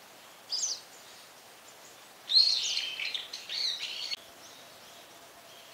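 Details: Brown-eared bulbul: a short high squeal, then a longer run of harsh, buzzy, screechy notes lasting about two seconds, over quiet background hiss.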